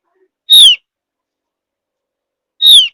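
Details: Javan grey-throated white-eye, a high mountain forest bird, whistling to lure other birds into singing: two clear, brief, downslurred whistles about two seconds apart, with no other sounds.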